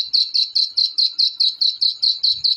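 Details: Young black francolin chicks calling in a rapid run of high, short peeps, each note sharp at onset and fading quickly, about twelve notes in under three seconds, with a soft low thump near the end.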